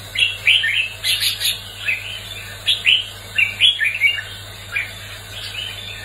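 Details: Competitive song of a red-whiskered bulbul: lively run of sharp, rising and falling chirped notes in quick groups, bright and clear over a faint steady hum.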